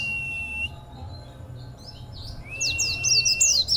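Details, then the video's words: Caged local Oriental white-eye with an unusual, powerful contest song: a steady high whistle, a quiet pause, then a rising whistle leading into fast bright twittering phrases, with low hum beneath. "Pleci Suara ANEH..!!!"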